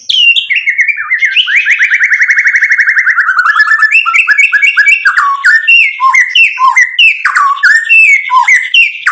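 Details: Energetic white-rumped shama song, rich in varied phrases and used to provoke other birds to answer: descending whistles, a long rapid rattling trill, then quick repeated chirps and sweeping whistled notes in a continuous loud stream.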